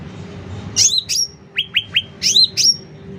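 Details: Chatty sooty-headed bulbul at high volume: pairs of piercing high chirps that slide down into a level whistle, separated by three quick descending notes, all clear against a quiet low hum.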